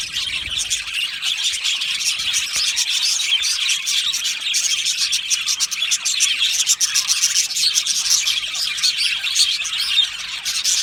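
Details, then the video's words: Budgerigars in an aviary colony singing and chirping: an unbroken high chorus of fast twitters and ticking chirps, evenly dense from start to end. "Beautiful Budgie singing and chirping sounds"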